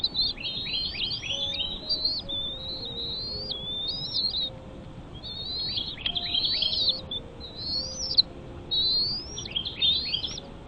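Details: Bald eagle with chicks in the nest: bursts of high, sharply descending squeals, several stacked together, repeated every second or two, with faint low tones beneath.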